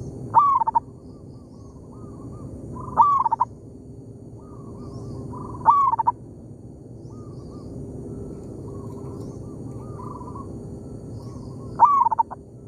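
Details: Local zebra dove in an oil palm plantation calling back and forth with a decoy bird: four loud stuttering coo phrases, each a rising slur ending in quick notes, alternating with fainter, softer trilled coos.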